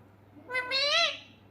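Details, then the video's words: Pet parrot calling its owner: one drawn-out, strongly harmonic call that bends upward and then falls, lasting about half a second, against a quiet indoor background. "Mithu mujy bula rha"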